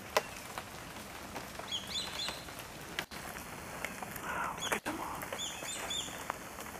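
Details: Several swallow-tailed kites calling while in flight. Faint, high, thin whistled notes come in small clusters, with sharp ticking noises in the background.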